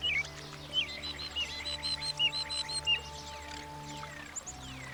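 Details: A European Starling, a common American backyard bird, sings a varied run of thin whistles, slurred squeaks and chatter, notes about every half second, over steady background music.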